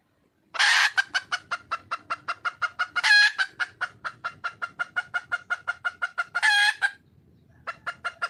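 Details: A red junglefowl hen calls for a male. A harsh squawk opens a long, steady run of around thirty rapid, evenly spaced clucks, broken twice by more rasping squawks. After a short pause, a few clucks resume.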